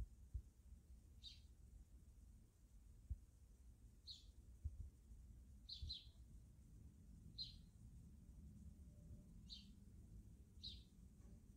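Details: Backyard sparrows in the wild, with single high chirps repeated about every one to two seconds, each brief and sharp, over a constant low background hum and a few faint knocks.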